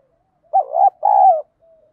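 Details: One spotted dove song phrase, giọng đồng style, played to provoke fighting: a short wavering rising note pair, then a long, even, gently descending coo, followed by a faint soft trailing note.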